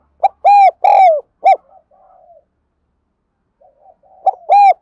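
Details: Spotted dove heard in a training recording for wild-caught and decoy birds. It gives one loud phrase of short and drawn-out hollow coos, then soft murmurs and a pause, and a second phrase starts at the end.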